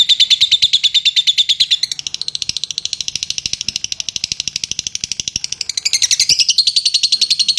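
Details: Ngetik chatter of a lovebird, meant to provoke extended ngekek song: a strong high rattling trill, then a softer stretch of quick dry ticks, and a louder buzzy rising burst near the end with steady ticking.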